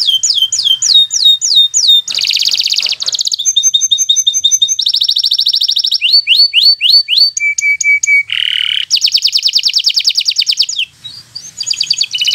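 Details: Local green canary, bottle-green colour, singing a loud varied song: rapid repeated trills, sweeping whistled notes and buzzy rattles in quick-changing phrases, kept as a master song for young birds learning to sing.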